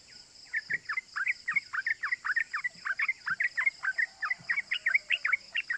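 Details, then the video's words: Yellow-vented bulbul lure recording of energetic 'cuk cuk' chatter meant to provoke other bulbuls into calling: rapid, continuous bursts of short, sharp notes, about four to five per second, under a faint steady high-pitched hiss. "Pancingan Trucukan Gacor Ropel Bikin EMOSI❗ Suara Cuk Cuk GAMPANG DITIRU bikin semua trucuk EMOSI"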